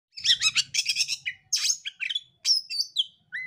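An Oriental magpie-robin sings a rapid, varied run of bright chirps, buzzy notes and clear whistles that dip and rise, ending on a pure whistled note.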